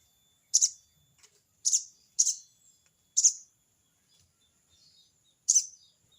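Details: Harsh crecet cerecet call of a sogon (crested jay) calling a rival: five loud, grating bursts, two of them close together, separated by short silences with only faint background chirps.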